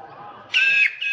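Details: A wild sulphur-crested cockatoo in Australia, feeding on honey in an old dead tree, gives a harsh, raspy screech lasting about a third of a second, then starts a second one over a faint background murmur.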